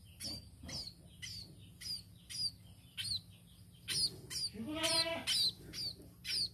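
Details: Tame sparrow repeating sharp, high, downward-slurred chirps roughly twice a second, broken midway by a longer harsh, buzzy note, over a steady low hum.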